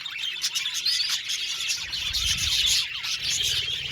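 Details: Many budgerigars in an aviary colony chattering at once: bright, busy twittering and squeaky warbles layered thickly, with some short downward-sliding chirps standing out and a soft low rumble beneath.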